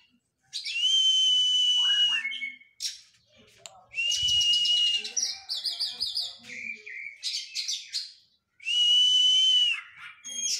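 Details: Oriental magpie-robin exercising after moulting. Three loud, drawn-out, buzzy screeches lasting over a second each are separated by rapid trills, looping whistles and sharp chips.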